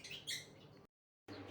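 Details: Newly hatched cockatiel chicks, three from a clutch of four eggs, in a nest box with the parents present, give harsh, raspy, hissing begging calls with a brighter rasping burst near the start, broken by a brief cut to silence.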